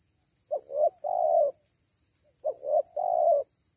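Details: A dove with a big voice, said to draw birds down after a single call: two deep, mellow three-part coos, a short note then two longer ones, about two seconds apart, over a faint high hiss.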